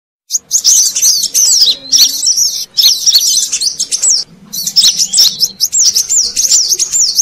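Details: Brown-throated sunbird, used as a lure sound to attract wild birds: dense, high, rapid twittering of looping whistled notes in long bursts, with short pauses near two seconds and before four seconds.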